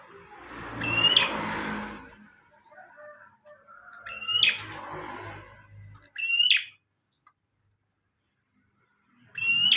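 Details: Singing bar-winged prinia, used as a master recording for training birds, delivers four separate buzzy rasping notes a few seconds apart with silent gaps between, with faint low rumbling behind the first two.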